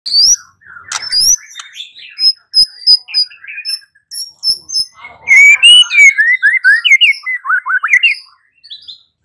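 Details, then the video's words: White-rumped shama song used as a lure to make another bird answer and sing: high whistled notes and repeated short slurred phrases, then a run of rapid rising-falling whistles near the end. "Pancingan Murai batu 85% Jitu jadikan Murai batu NYAUT NGEPLONG"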